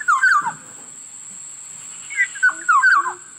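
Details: Black-naped oriole with two bursts of liquid, rolling whistles, the second a series of quick up-and-down slurred notes, against a faint constant high-pitched tone.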